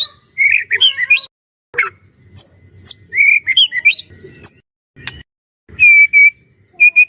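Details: White-rumped shama singing as a training bird for other shamas: scattered bursts of twisting warbled whistles and sharp clicks separated by silences, ending with several sustained clear whistled notes.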